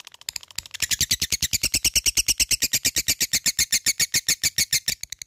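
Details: Labet bird, a fighter, challenging an opponent with an even, machine-like series of loud, high ticks, about seven per second, sustained for five seconds.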